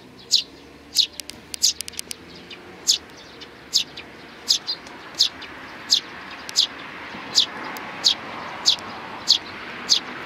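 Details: Sparrows with a chick and a bald-headed adult, 8 May 2019: a long run of brief high chirps, clustered at first, then spaced about every second, with steady background noise.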